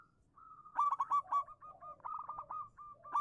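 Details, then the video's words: Local zebra dove singing as a lure for doves that have gone quiet: a loud, rapid ripple of clipped coos running into an uneven series of softer bubbling notes, then a new burst. "suara burung perkutut lokal manggung pancingan cepat nyaut untuk perkutut macet bunyi"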